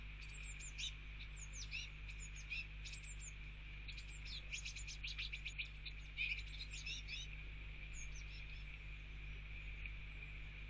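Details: Male Eurasian blue tit and his fledglings eating mealworms at a garden bird feeder on a rainy day; fledglings follow parents begging to be fed, giving thin, high chirps in quick scattered bursts, several per second, over steady rain hiss and low rumble.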